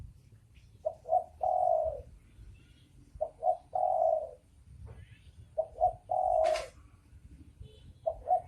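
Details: Spotted doves, male and female, repeat a cooing phrase three times: two quick soft notes then a drawn-out hollow coo. A sharp knock sounds midway through the third phrase.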